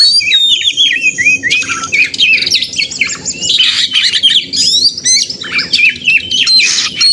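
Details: White-rumped shama contest-simulation song to make caged birds sing: continuous torrent of high chirps, quick whistles and scratchy rattles, barely pausing, over a faint low background hum.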